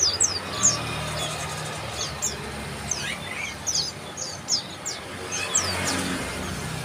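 Bar-winged prinia giving thin, high chirps in a quick, uneven run, with a few lower notes mixed in over a faint low rumble.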